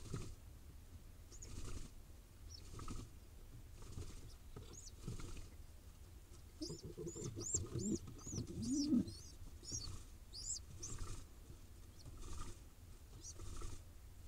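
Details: Begging from a wild pigeon nestling being fed in Israel: after quiet rustling, a burst of rapid high squeaky peeps mixed with a short low throaty warble around the middle, then more background rustle.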